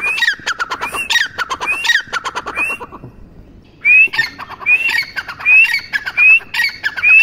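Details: A teetar (partridge) gives rattling, scratchy notes, falls briefly silent, then delivers a string of clear upslurred whistles, each followed by a brief rasp.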